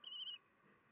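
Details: Common kestrel at a nest where the youngest chick remains after siblings fledged, with family encouraging it, 9:30, 22 June 2021; one shrill, high, steady note of about a third of a second, dipping slightly, then quiet.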